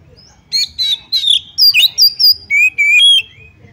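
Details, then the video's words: Oriental magpie-robin song meant to rouse other birds to fight and open their tails: a run of loud chirped and trilled notes in quick bursts, closing with lower sweet whistled phrases, over quiet low rumble. "pancingan kacer tarung cari lawan BUKA EKOR"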